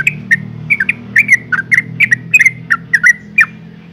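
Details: A female yellow-vented bulbul calling males, used to provoke males into singing: a rapid series of short, bubbly, chirping notes, about four per second, with a faint low hum beneath.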